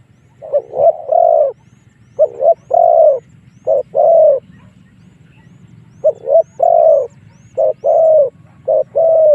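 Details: Lure call of a spotted dove, used to attract wild doves into fighting: repeated two-part coos, a short note plus a sustained one, in bursts separated by a pause of nearly two seconds.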